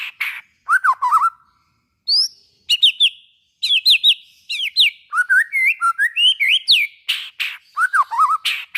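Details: White-rumped shama song used to trigger other shamas' singing: varied phrases of looping whistles, sharp high notes and harsh rasps, delivered in quick bursts with brief pauses.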